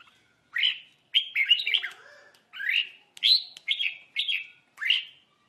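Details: Red-whiskered bulbul trapped beside a lure bird, birds fighting; clean, loud, slurred chirping notes, short rising-falling whistles repeated about twice a second in separate bursts, over a quiet background.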